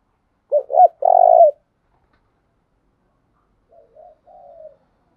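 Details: Spotted dove cooing during daily voice training: two short, deep notes and a long, loud coo, followed by quieter, softer coos after a pause.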